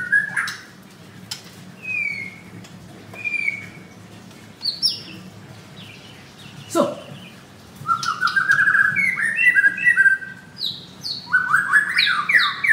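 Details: Caged male white-rumped shama at a bird kiosk in Kemayoran, Jakarta, growing agitated, with harsher song: a few scattered whistles and a sharp click early on, then a fast, loud series of stepped and rising whistled notes toward the end.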